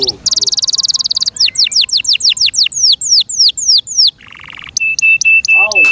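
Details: Kept canary in full song, loud and varied: a quick trill, a buzzy rattle, a row of falling whistled sweeps, a lower buzzy burst, then repeated short flat piping notes.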